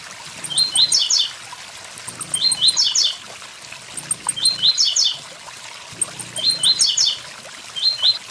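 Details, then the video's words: Blue-black grassquit singing its 'tui tui zel zel' song beside a waterfall: short high buzzy-chirped phrases of quick descending notes, repeated about every two seconds, four phrases over steady trickling water. "Tiziu tui tui zel zel"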